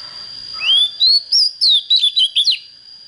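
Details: Young Oriental magpie-robin just beginning to come into fire, showing a good standard voice, gives one phrase: a long rising whistle followed by six or seven rapid, bright, twisting notes. A faint continuous high tone runs beneath.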